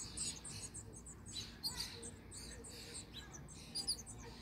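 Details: House finch chicks begging while adults feed them in Michigan; high, thin, scratchy chirps come in quick overlapping bursts several times across the moment, over a faint low background rumble.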